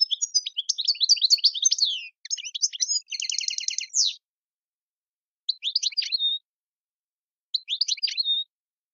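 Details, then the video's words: Goldfinch song of the tiwawati style (mondolin, servati, saw saw, sepla sepla, djiw motifs): a fast tinkling twitter, a harsh buzzy trill near the third second, then two short separate twittering phrases after a pause. "chant chardonneret tiwawati mondolin servati saw saw sepla sepla djiw"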